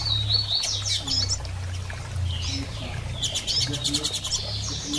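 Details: Female Double-collared seedeater calling to stimulate the male to sing after moult; sweeping high chirps and slurred notes, then a rapid stuttered run of ticks, over a steady low hum.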